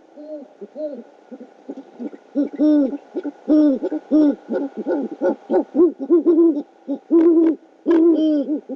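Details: Male great horned owl delivering a rodent to his mate at a camera-watched nest, Oklahoma City, night of 12 February 2013: a rapid, uneven stream of hoarse harmonic notes, about seventy a minute, building louder toward the end.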